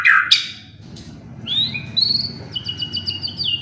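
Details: White-rumped shama song played to stir other birds into singing: a sharp slurred note, a short pause, then bright high whistles and a quick run of evenly repeated crisp notes.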